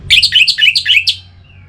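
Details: Orange-headed thrush, used to prompt singing, delivering a fast chattering run of warbled notes lasting about a second, ending with a faint thin whistle.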